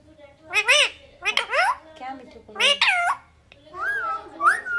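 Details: Pet green parrot talking indoors: loud, harsh speech-like syllables with rising and falling harmonic bands in three bursts, followed by two clear whistled notes near the end.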